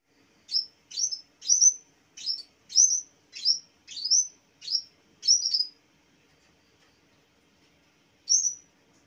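A mountain tailorbird gives a fast run of about nine high, sharp, upslurred notes, roughly two per second, then pauses and adds one more.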